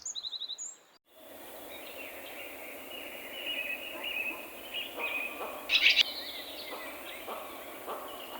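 Swallow twittering: a steady run of high, scratchy chirps and warbles with a few sharper notes. A short electronic chime opens the recording.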